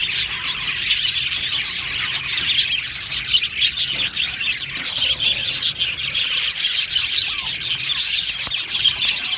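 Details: Aviary budgerigars in a colony chirping and warbling continuously, many overlapping high notes forming a steady buzzy chatter, with occasional clicks and louder tweets.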